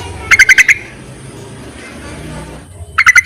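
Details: Yellow-vented bulbul call to attract males, played as a lure. A quick burst of five harsh, ringing chattered notes, a noisy lull, then another burst of four notes.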